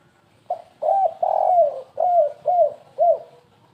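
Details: Low, hollow spotted dove coos in the 'kuk3 gagap' lure style: a brief opening note, a long sliding coo, then four shorter falling coos in quick succession.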